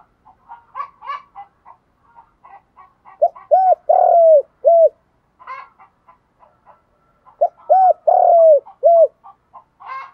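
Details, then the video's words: Spotted dove luring other doves in the morning with its field-voice coo. Two phrases, each two short hoots, a long falling coo and a closing hoot. Busy twittering and chattering birds sound all around. "Chim cu gáy giọng đồng gáy gọi bổi buổi sáng"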